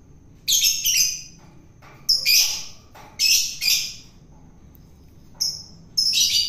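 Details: Long-tailed shrike from the wild, fed to make it tame, uttering loud, grating, high squawks in pairs and singles, separated by short pauses.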